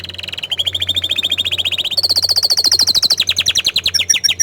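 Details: Orange frost canary singing a steady rolling trill that jumps higher into a faster, brighter tour, notes pulsing several times a second.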